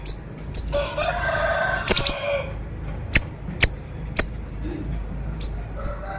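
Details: Actively singing siri-siri bird, konslet style, recorded for training other birds: quick high chips, a brief rattled cluster over softer warbling, then single sharp notes spaced about half a second apart.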